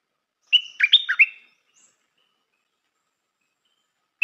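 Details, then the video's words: One lively phrase of a stripe-throated bulbul used as a decoy bird: a level whistle followed by a rapid burst of rich, gurgling notes, then a pause before the next phrase begins. "นกต่อใหม่เปิดดอกน่าฟัง สำนวนดี Suara pikat merbah lekir"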